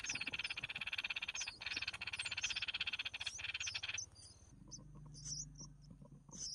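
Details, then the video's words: Red-whiskered bulbul mother feeding her chicks: a rapid, buzzy pulsed rasping for about four seconds, with thin high squeaky notes above, then a quieter stretch of high chirps over a low hum. "Chim chào mào mẹ mồi cho con"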